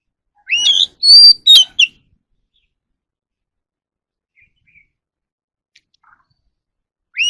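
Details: Oriental magpie-robin training song: a short phrase of upslurred whistles and a long thin high note with sharp chirps, then near-silence with faint soft notes, and another whistle starting at the end.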